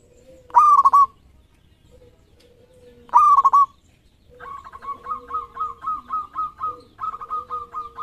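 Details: Actively singing local zebra dove with a 13-feather tail gives two ringing, stuttered coo phrases. A run of quick, evenly spaced, bright repeated notes follows, with a faint steady lower tone beneath.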